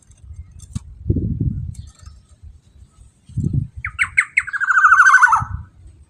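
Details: Black-naped oriole lure call to make other orioles sing and become agitated. Low thuds and bumps come first, then four short notes and a drawn-out, buzzy, nasal phrase sliding downward.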